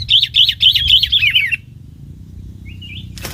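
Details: Bulbul serving as a trapping decoy delivers a rapid run of about six repeated warbling notes, slightly descending, then falls quiet apart from a faint short phrase and a sharp click near the end.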